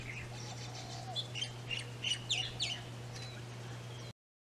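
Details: A Japanese White-eye (Mejiro) in a yard on Maui, Hawaii, spring/summer 2020, gives a quick run of thin, high, sharply sliding chirps, several per second, over a low steady mechanical hum.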